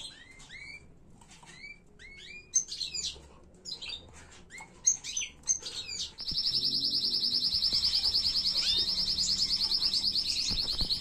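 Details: Canary singing an error-free tutor song for teaching chicks: scattered sharp upswept chirps, then a loud, fast, even trill that runs steadily to the end.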